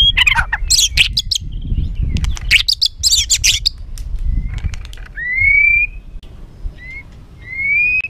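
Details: Agitated white-rumped shama song meant to make other birds aggressive quickly: a burst of scratchy, buzzy and clicking notes, then several rising, slurred whistles with short pauses.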